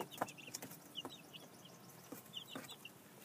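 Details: Two-week-old chicks just moved into a temporary outdoor pen, unsure of the new space, down feathers almost gone; short high peeps in scattered pairs and bursts, with a few sharp knocks and taps.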